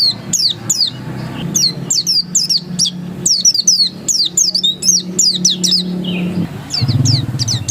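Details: Ngotot song of an oriental white-eye (dakun): bright, piercing whistled phrases that twist up and down, repeated quickly in clusters, with a droning low background hum and faint traffic.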